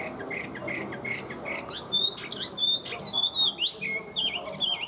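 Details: Tame Chinese hwamei kept as a cage bird and singing well. High, thin whistled notes start softly, then build into louder twisting, warbled phrases over a hissy background.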